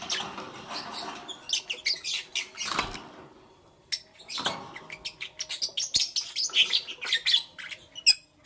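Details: Lovebirds chirping in the morning: after two soft rustling sounds, the chirping turns into a lively run of rapid, sharp, high squeaks and twitters.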